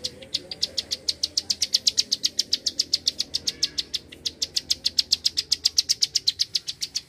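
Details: Bar-winged prinia giving its 'klik' call in a lively, dense volley: sharp, high dry clicks repeated about four times a second without pause for the whole stretch, with a brief gap near the middle.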